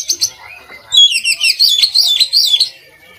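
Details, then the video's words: Song of a kacer, the Oriental magpie-robin, used to train other kacer birds; high whistled notes drop into a fast warbling sequence of bright, wavering whistles repeated in quick succession. "kacer gacor buat masteran kacer"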